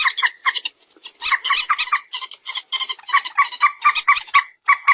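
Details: Common moorhen, known locally as peruk, mandar batu or tiung, recorded on a mobile phone: a steady series of harsh, nasal, clucking notes repeated in quick bursts, with short gaps between groups.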